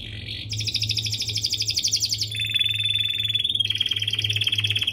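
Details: Domestic canary song used as a master recording to train young canaries and prompt them to sing; fast trills and buzzy rolls followed by a long, pure whistled note, with a steady low hum beneath.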